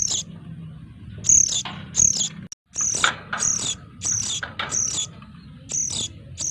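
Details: Sooty-headed bulbul chicks, noisy, give harsh, high, scratchy calls in quick bursts, about one or two every second, over a low background rumble; a recording used as a lure.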